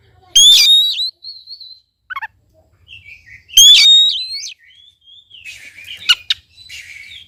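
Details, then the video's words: Oriental magpie-robin singing vigorously, used as a lure to prompt a reluctant bird to sing: two loud bursts of clear, high whistles with sharp upslurs, separated by softer warbling twitters. Faint low hum underneath. "KACER GACOR||PACINGAN &MASTERAN KACER MALES BUNYI"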